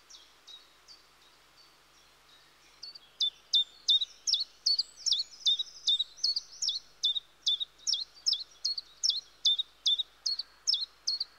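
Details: Common chiffchaff (Phylloscopus collybita) singing in woodland: a few faint notes at first, then a loud, steady run of sharp, high, down-slurred notes, about two to three per second, slightly alternating in pitch, over a quiet background.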